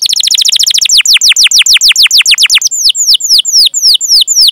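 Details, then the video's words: Canary in long rolling song used to prompt other canaries to sing: a very fast trill of falling notes that slows into separate, clear, down-slurred whistles. "Masteran Suara Burung Kenari Gacor Panjang cuit cuit Ngerol untuk Pancingan Kenari!"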